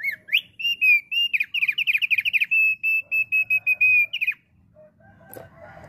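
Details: Lively Thick-billed heleia song meant to draw in wild flocks: rapid strings of slurred whistled notes, about three per second, alternating with longer level whistles for four seconds, then quiet with a faint rustle.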